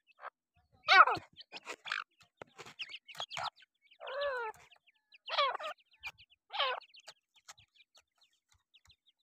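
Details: Black francolin chicks calling, a string of short wavering, harmonic-rich peeps and chirps in irregular bursts with quiet gaps between.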